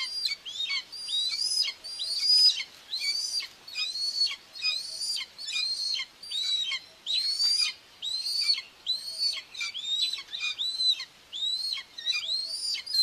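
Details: Common buzzard nest in Tiszalök, Hungary, June 2, 2024, with the adult female feeding two babies, recorded by a live webcam. For thirteen seconds a steady series of shrill, arched whistles repeats more than once per second, each one dipping at the end.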